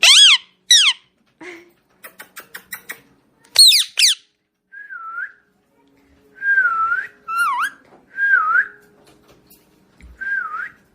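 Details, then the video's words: Pet talking parrot: a run of bright whistles, sharp falling sweeps and rapid clicks, then several smooth looping whistled phrases, each about half a second long, in an otherwise quiet room. "parrot sound ll parrot talking ll Talking parrot"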